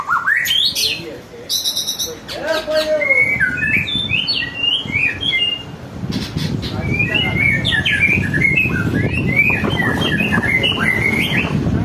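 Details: Song of a white-rumped shama, played to get other birds singing: a loud upslurred whistle, sharp ticks, then a fast run of short warbled notes over a rumbling low background.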